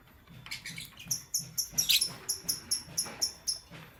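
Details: Pet lovebirds, lutino and blue opaline, chirping in the morning: a rapid series of about fourteen sharp, very high chirps spaced roughly a quarter second apart, with one louder harsh squawk near the middle.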